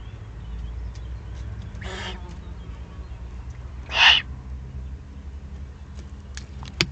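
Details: Eurasian eagle-owl near its nest site in the Eifel, 31 May 2020. Two short, harsh, breathy hisses come about two seconds apart. A few sharp clicks and rumbling low background noise are also heard.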